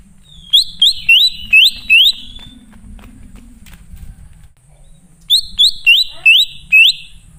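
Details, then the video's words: Greater green leafbird lure song for calling wild birds: two bursts of five or six sharply rising whistled notes, each burst about two seconds long, above a steady low rumble. "Pancingan Burung Cucak Ijo Ngalas Di Jamin Langsung Nyaut"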